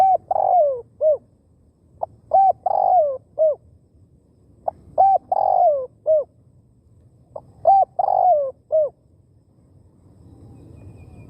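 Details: Spotted dove used as a decoy to lure wild doves quickly: three coo phrases about every three seconds, each a short hooked note, a long burry descending coo and a final hooked note, over a low rumble.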